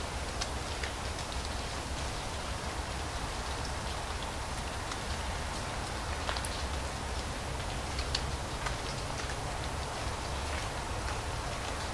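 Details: Steady patter and scattered light ticks, like rain or falling leaves, over a low rumble, with no animal voice.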